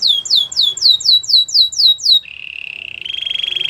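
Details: A Spanish Timbrado canary sings eight loud downslurred whistles in a steady rhythm, then switches to a low, even, buzzy trill that steps up slightly in pitch near the end.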